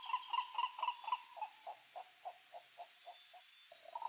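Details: Green ibis in the Pantanal giving a series of short, hoarse, knocking notes repeated about four times a second, loud at first and then fading into softer, spaced notes before a brief renewed burst; faint high chirps in the background.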